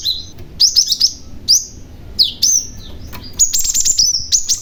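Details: {'caption': 'Cinereous tit, a young bird used to draw other tits to respond, repeating high, clear whistled notes in rapid doubled phrases, ending in a long run of sustained piping notes.'}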